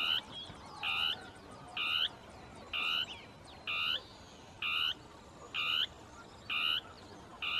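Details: A Northern tapaculo sings its territorial song among shrubs, two birds interacting. Evenly spaced, nasal croaking notes repeat a little under once a second over a quiet hiss with faint distant chirps.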